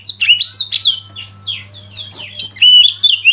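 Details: Oriental magpie-robin masteran song: a string of descending whistled slurs followed by loud, bright chirps and fast repeated whistles, steady low hum underneath.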